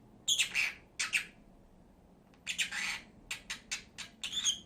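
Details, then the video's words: Pet lovebird pair giving harsh, high squawking chirps in short clusters separated by a pause, with a faint room hum. "CİCİKUŞ SESİ----Cennet Papağanı"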